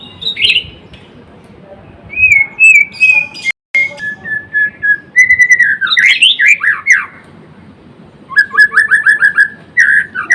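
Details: White-rumped shama, called murai batu or murai blorok, singing energetically: clear whistled notes, a sustained high whistle, then rapid descending slurred phrases and a fast buzzy repeated trill ending in bright whistles.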